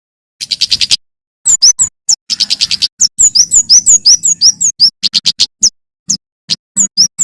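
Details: Male bar-winged prinia singing energetically in a wild, forest style, recorded as training audio for songbirds. High, sharp notes come in rapid buzzy bursts with quick downslurred chips between them. A faint low hum runs underneath.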